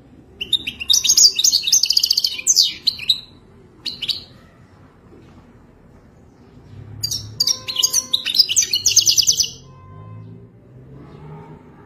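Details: Wadani-style song of a Moroccan goldfinch, a wild-type bird: fast, bright twittering phrases mixing liquid notes and dry buzzes, a long opening burst, one brief note, then a second extended burst after silence.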